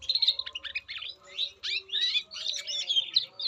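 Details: An Indonesian canary delivers fast chattering phrases of high chirps and trilled notes, broken by short gaps, over a faint low hum.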